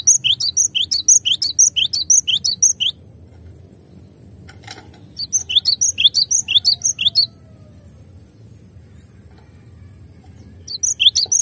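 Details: Cinereous tit (glatik batu) in a clear masteran recording: sharp, high chirping notes in quick two-part repeats, about two per second, in bursts several seconds long separated by quiet gaps, over a faint steady high whine.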